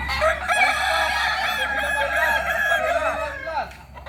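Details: Kokok Balenggek chicken, an original Solok, West Sumatra bird, giving a sustained rich crow of rapid wavering syllables that runs almost unbroken for about four seconds, with faint lower calls beneath.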